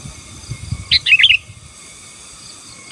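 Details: Sooty-headed bulbul, gacor style to dominate rivals, giving one tumbling phrase of rapid whistled notes near the middle and a single note at the end, with low murmuring noise beneath.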